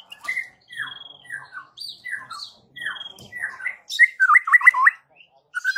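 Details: White-rumped shama sound said to prompt neighbouring shamas to answer: repeated downward-slurred whistled notes with thin high whistles between them, ending in a rapid wavering trill.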